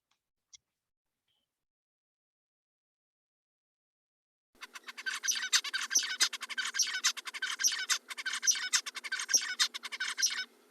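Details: Male zebra finch (Taeniopygia guttata) courtship song, each male's song unique: after brief silence, a rapid buzzy harmonic-rich motif lasting about a second, repeated, with sharp clicks and nasal stacked notes.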